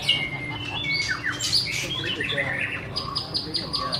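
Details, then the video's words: Singing white-rumped shama gives a long sustained whistle, then fast downslurred notes and high sweeping phrases, ending in a steady high tone with rapid pulses. A low hum runs underneath. "BIRD SINGING| Bird White-rumped shama - Beautiful Birds,Dancing And Singing Chirping Sounds Great"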